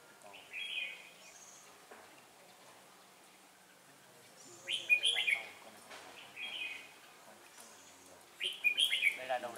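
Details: Red-whiskered bulbul decoy singing at a trapping site to challenge rivals: separate bright warbled phrases roughly every two seconds, each a quick jumble of whistled notes, over quiet outdoor background.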